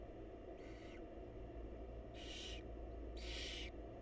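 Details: Wild barn owls at a monitored nest box as the mother feeds her chicks: three harsh, breathy hissing bursts, each under half a second and growing louder, over a steady low hum.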